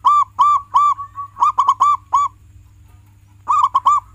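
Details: Local zebra dove, a frequently singing bird used as a training recording to prompt pet doves to sing: loud arching coo notes in quick clusters, a soft trailing note, a pause, then another rapid burst of arched notes.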